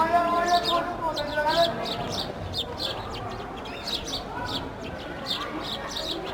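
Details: A group of sparrows eating bread and playing, sharp repeated chirps in loose bursts against a low hum and some louder tonal sounds early on.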